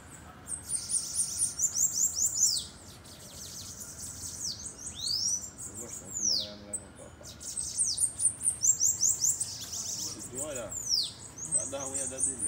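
Bananaquit song: bursts of very high, thin, buzzy trills with wheezy down-slurred notes, repeated several times. A man's voice is faintly heard in the background.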